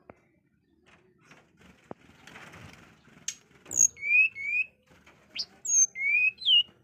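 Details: Bird known locally as burung suling or sulingan, sings clear whistled phrases after a quiet rustling start: slurred notes rising in pitch, each paired with a thin, very high upslur, about five phrases in quick succession.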